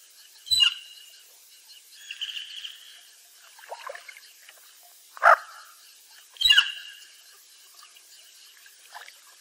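Bufflehead giving short, scratchy, squeaky calls at irregular intervals of one to two seconds, some sharp and clipped, others drawn out and buzzy.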